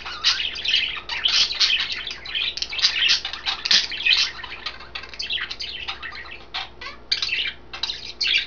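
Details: Three caged budgerigars, green, blue and white, chatter over kale; a long dense stream of harsh chirps and warbling notes, slightly thinning toward the end before a final burst.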